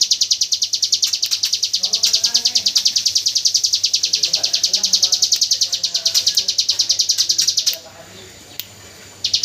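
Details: Hill prinia song in the 'AK47 burst' style, used as training audio for white-rumped shamas: a fast, high, buzzy series of repeated notes at about three per second for nearly eight seconds, with softer chirps from other birds beneath.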